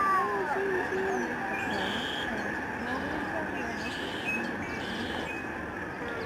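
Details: Huge flock of lesser snow geese flying and swirling down at a migratory bird sanctuary in the Fraser River estuary, Delta, British Columbia, Canada, on March 24, 2011; overlapping nasal honks form a continuous chorus under a steady background roar.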